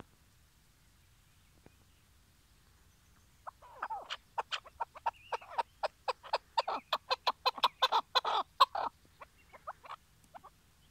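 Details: Decoy chukar partridge used for trap hunting in Şırnak, Turkey, calling before the hunt: after silence, a series of harsh clucking chuck notes that speeds up and grows louder, then fades in a few softer notes.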